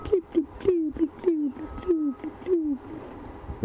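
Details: On a morning safari drive in the Sabi Sands on October 22, 2015, an African Grey Hornbill gives a plaintive series of low, downslurred whistles, about two each second, with faint high twittering from small birds behind.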